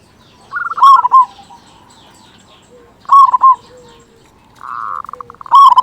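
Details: Local zebra dove singing loudly to goad other zebra doves into song: three emphatic rolled cooing phrases about two seconds apart, each led in by a softer buzzy trill, with quiet pauses between.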